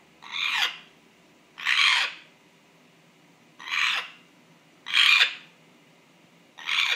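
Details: Unexplained strange noise from a pet African grey parrot: five rasping, hissy squawks spaced about 1.5 seconds apart, steady and loud against a quiet indoor background.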